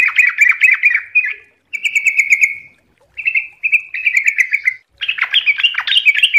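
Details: Sooty-headed bulbul singing a rapid ropel song for training other birds: a series of quick, bubbly chirped phrases with short gaps, ending in a denser, scratchier warbled run.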